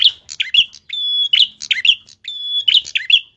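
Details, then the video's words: Tilek in lively, sharp-voiced song: rapid high chirps and twitters alternating with sustained, even whistles, the pattern repeating about every second and a half. "tilek gacor suara pedes abiss"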